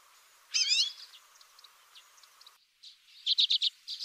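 Common redpoll giving a loud, wavering buzzy note, then soft scattered chips and a quick run of four dry chattering notes, high-pitched.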